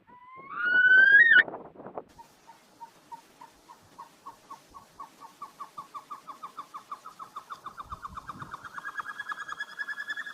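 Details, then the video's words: A Himalayan snowcock in the Himalayas sings: a loud rising whistle opens, then a long run of short whistled notes that speed up and climb in pitch, ending in a drawn-out high whistle. "Himalayan Snowcock singing"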